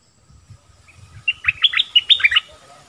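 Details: Bulbul delivering a short burst of quick whistled and warbled notes after a soft, low-pitched lead-in, with faint low thumping or rustling underneath.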